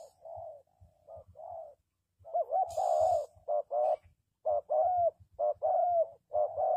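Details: Spotted dove cooing as a trapping lure for wild doves, low rolling coos, first faint and uneven, then louder paired notes in quick succession, with a brief sharp click partway through.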